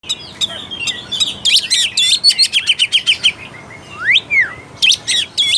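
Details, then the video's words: Oriental magpie-robin (kacer) song used as a lure to rouse lazy, unaggressive birds: loud whistled phrases near the top of the range, fast repeated sharp notes, then a sweeping rising-falling whistle and a few final chips. "PANCINGAN AMPUH UNTUK KACER MALAS BUNYI DAN KURANG FIGHTER."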